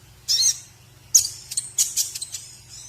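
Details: White-rumped shama (murai batu) masteran recording for teaching other birds: a few very high, hissy, rough notes, then quick sharp chips, over a steady low background hum.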